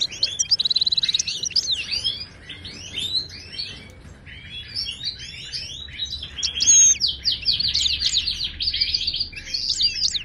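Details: Moroccan goldfinch in Widani-style song for teaching caged birds: an opening fast buzzy trill, then a long jumble of high twittering and sweeping whistles, with another rapid trill toward the end.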